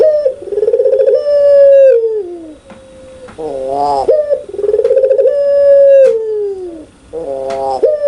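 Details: Pelung-type Barbary dove giving loud, clear cooing in the lively laughing style: two long coos, each opening with a quick throaty stutter, swelling into a steady note and sliding downward, separated by a shorter wavering coo.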